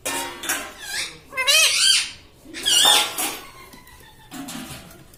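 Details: Pet parrot talking, said to repeat "mummy papa": squawky, chattering bursts with rapid warbling pitch wobbles, three louder phrases among softer squeaks, in an indoor setting.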